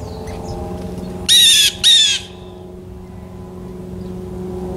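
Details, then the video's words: Blue jay recorded outdoors in real time: two loud, harsh, ringing squawks given in quick succession, each about half a second long, followed by a steady low hum and faint background chirps. "Blue Jay Day!!"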